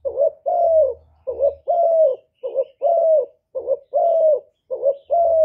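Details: A captive spotted dove gives soft, hoarse coos, a short note then a longer drawn-out one, repeated steadily, played to stimulate other caged doves to coo.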